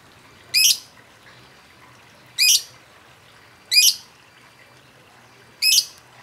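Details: Caged lovebird calling as a provocation to make other birds sing, four harsh high shrieks spaced irregularly about one to two seconds apart, each short and buzzy.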